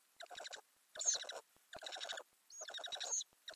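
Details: Ural owl recorded by a camera inside a nest box under the lid, May 2020, with owlets growing in the nest; four raspy, rapidly pulsed bursts of about half a second each, coming roughly every second, against a quiet background.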